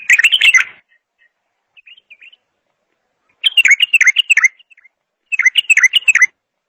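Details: Bulbul giving three lively bursts of quick, bubbling whistled notes, separated by pauses and a few faint, thin chirps.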